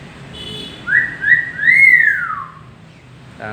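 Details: Clever pet common hill myna giving a loud whistled phrase: two short rising notes then a long arching slur that falls away, over steady background hum.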